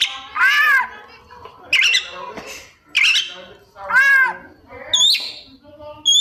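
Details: Captive white-rumped shama with a song full of mimicked phrases: loud harsh squawking notes, nasal arched calls and brief whistled chirps, delivered in bursts roughly one second apart.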